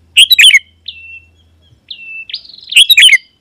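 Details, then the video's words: Sooty-headed bulbul singing to draw wild rivals near: a bubbly phrase, then two thin drawn-out whistles sliding downward, then another burst of chirping notes, with a faint low hum early on. "Suara Burung KUTILANG GACOR Memanggil Lawan Burung Kutilang Liar Auto Nyaut dan Mendekat"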